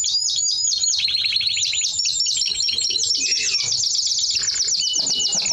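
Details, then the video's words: A Timbrado Español canary sings a long unbroken run of fast, high, rhythmic chirped trills, the rolls changing speed and pitch slightly as they go. "Timbrado Español Canario song - Canario Cantado"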